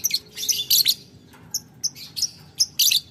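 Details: Lovebird ngetik ngekek toward a rival: clustered, clipped, shrill ticking and rasping notes in rapid groups, with brief silences between bursts.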